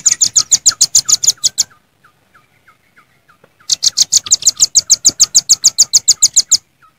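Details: Wild velvet-fronted nuthatches, several birds combined, calling to rivals for a lure recording: two fast runs of piercing high chips, separated by nearly two seconds of quiet with faint, soft, lower notes.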